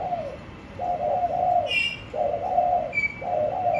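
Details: Caged spotted dove delivering drawn-out, hoarse coos separated by short pauses. Another small bird adds a quick high chirp and a thin whistle.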